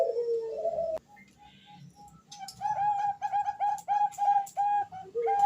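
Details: A Bangkok zebra dove female calls the male: a low sliding coo, a pause with soft notes, then a brisk string of clipped, bright cooing notes repeated roughly three per second.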